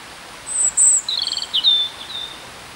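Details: A European robin in full song at Peasholm Park, Scarborough, sings a brief, thin, very high phrase of sweet notes that drop into a quick, rippling trill, over faint hiss.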